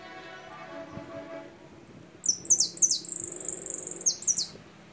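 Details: Jilguero, or goldfinch, song: thin high whistles followed by a burst of sharp descending notes and a rapid, sizzling trill, then more falling notes, over a low steady hum.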